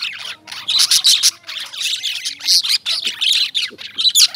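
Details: Lovebirds give loud, shrill chirps and squawks in choppy bursts roughly every half second, with faint low tonal sounds underneath.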